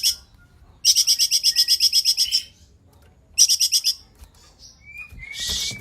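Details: Cungkok delivering clear, tightly spaced song bursts for use in teaching other songbirds: a quick series of about a dozen sharp chirps, a shorter repeat, then thin whistles and a hissy note.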